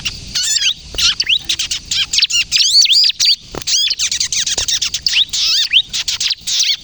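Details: Bar-winged prinia (ciblek kristal) singing energetically in the kejepit style, used to lure birds and prompt untrained prinias to sing: dense, high, rapid chirps with quick rising-and-falling arched notes, nearly continuous, in bursts under a second apart.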